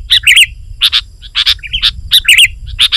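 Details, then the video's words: Sooty-headed bulbul singing hard to draw in wild bulbuls: short bright bubbly whistles in paired notes, repeated in quick bursts about twice a second with brief gaps. "Suara Burung KUTILANG GACOR Rapat Menekan Lawan Ampuh Untuk Memikat BURUNG KUTILANG Liar"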